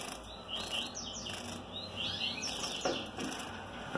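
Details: Male double-collared seedeater singing while mating, with hopes that the eggs will be fertile: bright chirping notes and quick rising-falling sweeps in short bursts, over a steady high electrical hum and faint wing flutter.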